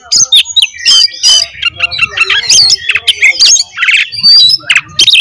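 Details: Oriental magpie-robin fighting song to provoke rival magpie-robins; harsh, squawking and buzzy notes jumbled with fast chattering whistles, loud and continuous throughout.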